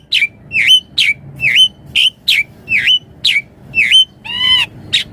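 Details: Full-variation 'gacor' song of a Javan pied starling, used as master song and lure: evenly spaced, dipping whistled notes about twice a second, then one harsh, rich nasal note near the end.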